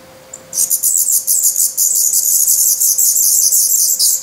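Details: Black Redstart chicks in a Portuguese nest, 17 May 2020, hungry and nearly fledged in plumage. After one lone squeak, a sudden intense, unbroken chorus of very high, rapid, buzzy begging squeals fills the rest.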